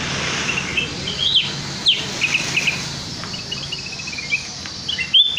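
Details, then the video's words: Sooty-headed bulbul lure song, meant to make birds sing out their repertoire: scattered short bright chirps and brief warbled phrases, some in quick runs of bubbly notes, over a steady background hiss and low hum. "suara pikat burung kutilang emas auto bongkar isian"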